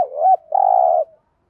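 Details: Caged decoy spotted dove in Vietnam calling to provoke wild doves: a low looping coo, a short pause, then a long even rolling coo fading at the end.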